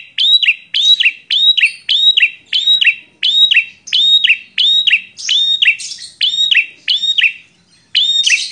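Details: Bar-winged prinia, a visiting male with a fighting temperament, singing aggressively: a fast train of sharp, bright two-part notes, each an upslurred whistle dropping into a buzzy tail, repeated nearly twice a second without pause.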